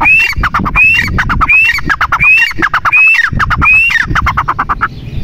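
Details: Female grey francolin calling steadily: six phrases of an upslurred whistle followed by a clatter of short, rasping notes, spaced around 0.75 seconds apart, with faint low background rumble.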